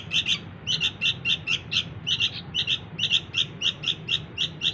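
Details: Young sooty-headed bulbul begging for its parents, used as a lure: insistent paired high chirps given in a fast, almost continuous series, with a constant low hum of background noise underneath.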